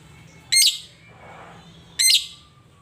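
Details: Caged lovebird, described as rarely vocal, uttering two piercing, harsh, screechy calls about one and a half seconds apart, with quiet background between.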